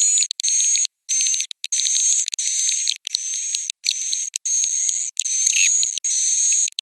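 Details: Roosting call of swiftlets: shrill chattering bursts over a level high-pitched tone, about ten blocks with short clean gaps between them, one lower swooping chirp near the end.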